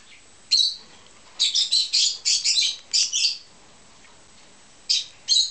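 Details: A rosy-faced lovebird flapping its wings while being hand-fed gives harsh, raspy, high-pitched squawks in rapid bursts of four or five, then pauses before two more short squawks.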